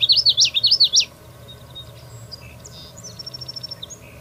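Common Yellowthroat singing three quick, bright, rolling phrases in a second, then going quiet while fainter, thin high notes from other birds follow.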